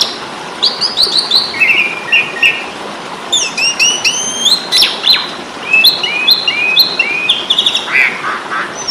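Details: Training recording of an Asian pied starling ready to fight: chattering strings of chirps, whistled slurs and a buzzy rattle, quick and uneven, with steady background hiss.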